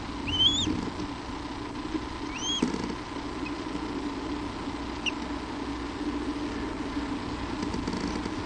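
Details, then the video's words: Day-old eaglet in its nest on Hornby Island, British Columbia, at its first feeding on April 28, 2011, giving two brief high rising-and-falling peeps early, then only low hiss and rumble. "New Baby Eaglet on Hornby Island"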